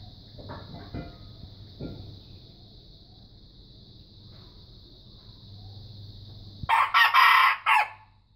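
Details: Under a constant shrill insect whine, a juvenile red junglefowl learning to crow suddenly bursts out with a rasping, uneven crow split into four hoarse pulses after several quiet seconds of faint rustling.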